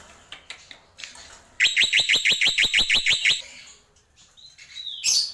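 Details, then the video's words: Tembakan burst from a black-winged myna, locally jalak pito or jalak putih: scattered soft chirps, then a fast, steady string of about ten bright, upswept whistled notes, then quieter twittering and a short rising whistle. "Tembakan Jalak Pito"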